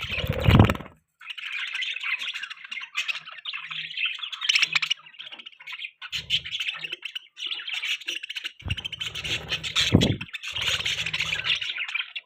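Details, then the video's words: Budgerigar giving long, continuous warbling chatter, a busy stream of scratchy chirps and squeaks. A few low bumps sound in the background. "Beautiful Budgie Chirping Sounds"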